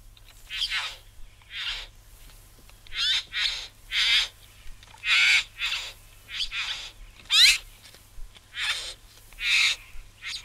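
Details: Satin Bowerbird from Australia, a series of harsh, buzzy, hissing churrs, each about half a second long, repeated irregularly about once a second, with a faint low hum beneath.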